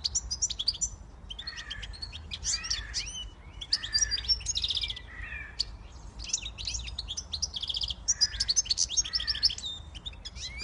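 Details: Siskin x goldfinch hybrid in continuous twittering song, bursts of high chirps and rattles alternating with lower nasal buzzy notes, phrases running back to back for about ten seconds over a low hum.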